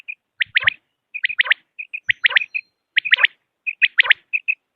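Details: Common quail delivering crisp whistled phrases of three fast notes, preceded by soft short pips, steadily repeated about every 0.6 seconds in an otherwise silent recording.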